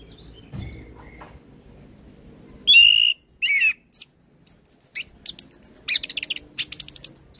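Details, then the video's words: Orange-headed thrush in lively song, recorded to tutor untrained birds. Two strong whistled notes open it, followed by an accelerating series of short, high, ringing chips and trills. "Suara Anis kembang Gacor Full isian"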